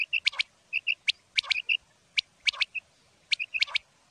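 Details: Common quail calling: sharp notes with clicking onsets, grouped in quick threes and repeated about once a second, clear tonal whistles in between, over a quiet background.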